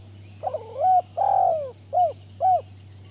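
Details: Cooing spotted dove, a training call meant to stimulate lazy doves to sing. One phrase opens with a hoarse note, swells into a long falling coo, and ends with two brief clipped coos, over a steady low hum.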